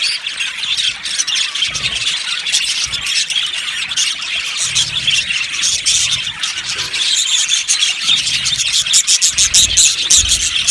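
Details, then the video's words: Aviary flock of yellow budgies giving a steady wash of overlapping chirps, warbles and sharp squeaks, with a few louder, more excited bursts toward the end. "Budgies chirping sounds"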